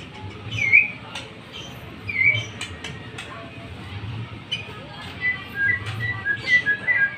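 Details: A Bornean white-rumped shama, a top-five contest bird, gives bright, sliding whistled phrases in short bursts repeated every second or two, over a steady low hum and scattered clicks.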